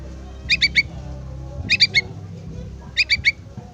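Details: Young yellow-vented bulbul begging for its parent, giving three bursts of three bright, clipped chirps spaced about a second apart, with a faint low droning hum behind.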